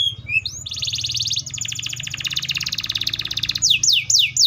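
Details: Canary song with a short rising whistle, then a long, dense buzzy rattle held for almost three seconds, ending in four rapid descending whistled sweeps; faint low hum beneath.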